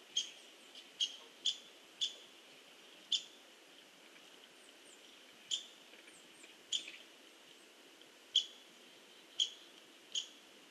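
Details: A hairy woodpecker pecks at a tree in an uneven series of crisp, separate taps, about a dozen over ten seconds, with steady faint background hiss.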